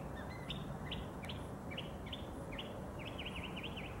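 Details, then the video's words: A mockingbird sings early in the morning from a neighbor's tree about 50 yards away: a string of short, varied whistled phrases, then a quick run of repeated sweeping notes, over a steady low rumble. "Song of the Mockingbird"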